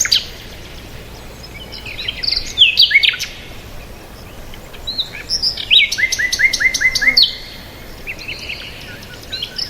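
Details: Peaceful bird chirping: scattered twittering phrases, then a lively run of repeated short clear notes about five in quick succession among sharp chips, fading to quieter calls over soft background noise.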